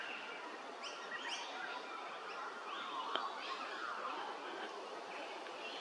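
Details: Scaly-breasted lorikeets at Hervey Bay, Queensland, give harsh, shrill screeches and quick upswept chirps, overlapping in a busy chatter over a steady hiss of background noise.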